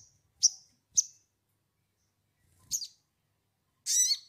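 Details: High sogon chirps serving as a lure for fresh birds to start singing, two quick sharp notes, then a buzzier trilled call and a broad harsh rasping note at the end.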